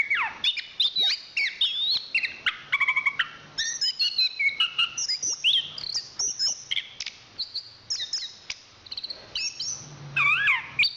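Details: Chestnut-capped thrush, a national champion songbird, singing a dense, varied song of rapid whistled phrases, sweeping slurs and sharp chips, mostly high-pitched, with a faint low hum underneath.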